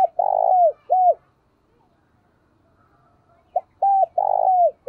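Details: Spotted dove used as a decoy bird, cooing in the 'thúc' and 'gáy gọi' styles. Two mellow coo phrases are split by a quiet gap. Each has short clipped notes, a long buzzy sustained coo and a falling final note.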